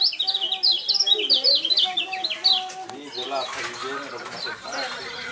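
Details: Lemon-bellied white-eye kept for singing contests, said to have a unique champion voice: a fast series of high, sharply falling whistled notes that gives way to noisy background sound and human voices.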